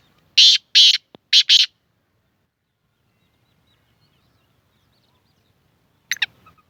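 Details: Kala tetar or black francolin with its dusri bolari call: four loud harsh rasping notes delivered rapidly in the first two seconds, a long silence, then a fainter broken note near the end.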